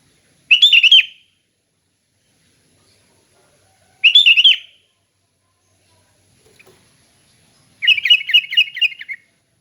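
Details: Relaxed sooty-headed bulbul song for training captive bulbuls: three bright, chattering phrases, the first two alike and the last longer with rhythmic repeated notes, spaced roughly three to four seconds apart against quiet background.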